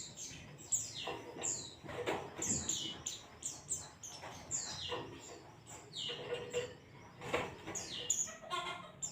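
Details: Ngalas-style white-eye song for masteran training: a lively run of high, quick downslurred whistles repeated almost continuously, interspersed with sharp ticking clicks and a few lower chattering notes.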